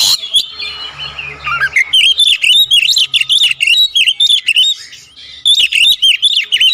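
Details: Oriental magpie-robin (kacer) singing a full isian song: a harsh opening note, then fast, dense chirps and clipped whistles, about three to four per second, with a brief lull before resuming.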